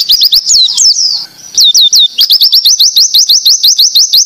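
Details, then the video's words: Oriental white-eye song of the 'tembakan ziper' type, played to train other white-eyes: quick tangled high whistles, a short gap, then a steady run of sharp rising-falling notes repeated several times a second. "masteran pleci tembakan ziper coco bwt melatih pleci bahan ombyokan"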